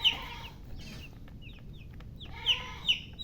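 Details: Baby chicks peeping: a few sharp, high descending chirps at the start, softer scattered peeps in the middle, then two more loud falling chirps near the end over a quiet, low hum.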